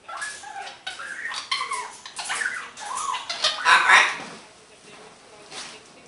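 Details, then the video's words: Happy pet green-winged macaw chatting and making noises indoors, a run of varied rising and falling nasal, speech-like syllables ending in a louder raspy squawk, then quieter murmurs. "my greenwinged macaw have som noices, chat and a little bit laughin."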